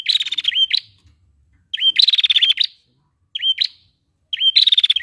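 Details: Prinia female calling to excite males: high buzzy phrases, each opening with a clipped upslurred chip, then a rapid rattling series of notes ending in an upward flick, separated by pauses of about a second; quiet surroundings.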